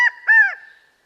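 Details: California quail (Callipepla californica), call.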